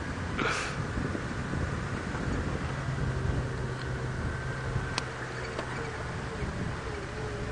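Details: No animal sound is heard; a vehicle engine rumbles steadily under wind noise, with a couple of brief clicks.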